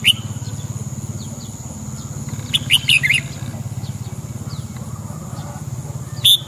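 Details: Red-whiskered bulbul giving a quick run of bright warbled whistles in the middle, with single sharp notes at the start and end, over a throbbing low hum and faint steady high tone.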